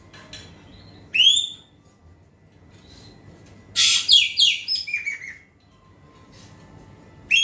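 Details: Asian pied starling song meant to prompt a quiet bird to answer, with a loud upslurred whistle followed after a pause by a burst of harsh, scratchy, tumbling notes and another rising whistle at the end.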